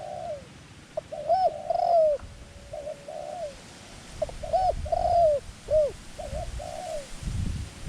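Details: Decoy dove luring wild doves in Thai ground trapping. Bursts of loud, clear arched coos mix with gentle, falling cooing phrases, with a low rumble near the end.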